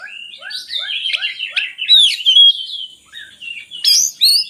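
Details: Oriental magpie-robin song for luring lazy magpie-robins into singing: a series of short, soft, down-slurred notes under twittering, then loud, clear whistles and a bright high phrase at the end.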